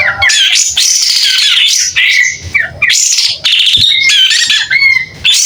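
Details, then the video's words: Energetic, clear song from a pied triller fanning its tail: dense runs of harsh squawky notes mixed with bright whistles and quick slurred phrases, broken by short gaps roughly every second. "Kapas tembak gacor buka ekor.. SUARA JERNIH"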